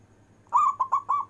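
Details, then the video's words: A single phrase of local zebra dove manggung song, long-breath style: a drawn-out coo followed by three shorter, evenly spaced pulses at the same pitch, with a quiet hum beneath. "Perkutut lokal istimewa manggung nafas panjang"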